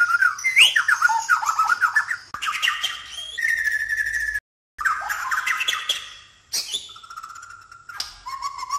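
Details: White-rumped shama (Murai Batu) from Sabah, Borneo, giving a dense, varied song of fast warbled phrases, squawky notes and sweet whistles. It is broken by abrupt cuts and a brief silence, then ends in steady repeated whistled notes.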